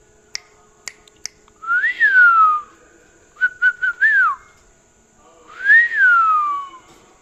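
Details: Pet parrot awake at night, refusing to sleep and wanting churi; loud clear whistles that rise then slide down, a quick run of short level notes between them, a few sharp clicks at the start, indoor room.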